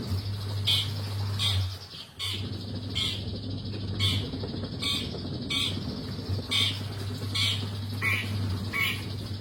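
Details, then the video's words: Long-tailed shrike giving harsh, squawky notes repeated roughly every second, set against a steady low hum throughout. "BURUNG CENDET GACOR"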